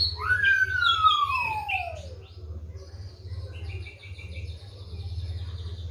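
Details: Kept Oriental magpie-robin (kacer), fed seven crickets and bathed morning and evening, singing a long clear whistle that slides steadily downward, followed by brief high twittering notes over a constant low hum.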